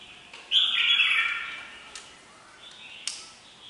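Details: A single loud, warbling whistled phrase from a red-whiskered bulbul, lasting about a second and tapering off, followed by a faint softer note and a couple of clicks.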